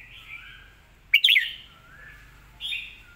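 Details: Red-whiskered bulbul song noted for its clear voice: gentle warbling, a sudden loud pair of rich rolling whistles, a low gliding note, then a short bright phrase at the end.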